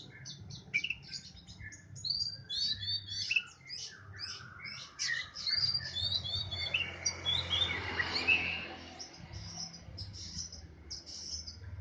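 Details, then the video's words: Oriental magpie-robin kept in a cage and sunned early in the morning. Quieter, fast, varied chirping and twittering runs mixed with short whistles, continuous throughout over low background hum. "Jemur burung Kacer poci"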